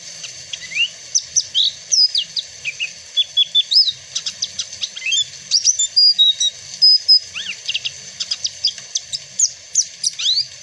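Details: Papuan black-fronted white-eye, protected in Indonesia, singing its prized song: a lively, high stream of quick twittering notes, rising slurs and sharp chips, steady for about ten seconds with no other sounds.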